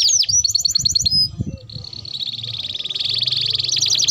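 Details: Domestic canary singing a long rolling song used as a lure and for tutoring young canaries: fast repeated high trills and rolled notes, a brief pause then a steady buzzing roll, with faint low background noise.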